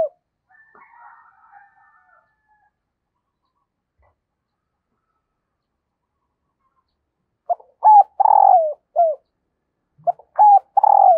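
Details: Hen dove calling to rouse the male. Several seconds of near silence, then a crisp short note, a paired coo and a long descending burr, with a second phrase beginning before the end.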